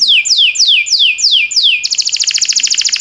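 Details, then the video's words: Canary song used for training canaries, timbrado style: a run of six falling whistled sweeps about every quarter second, then a fast buzzy trill of rapid pulses. "Cantar canário faz seu canário cantar - o melhor treinador"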